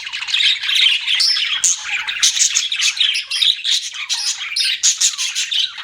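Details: Pet budgerigars chirping continuously: dense, buzzy warbling chatter with rapid squeaky notes and scratchy trills, steady throughout with no pauses.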